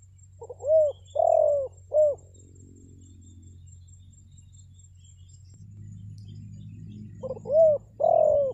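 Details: Spotted dove lure call, used to draw wild doves into answering: two bursts of low, soft cooing phrases, each a short note then a longer hollow coo, separated by a quiet stretch over a steady low background hum.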